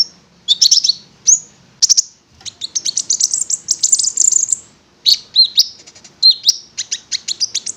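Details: Konin (prinia) singing loud buzzy phrases broken by short gaps, including a sustained warbling stretch and sharp chirps at the close.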